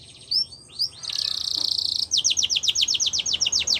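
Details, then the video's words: Singing Belgian canary, recorded to train young canaries: a few rising whistles, a sustained buzzy high trill, then a string of sharp falling notes repeated evenly. "Belgian Canary Singing For Training"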